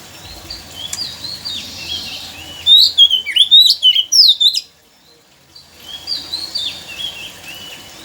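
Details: Oriental magpie-robin song played to stimulate a quiet bird to sing: a loud burst of rich, varied whistled and warbled phrases, sharply rising and falling, lasting about two seconds, with fainter similar singing before and after.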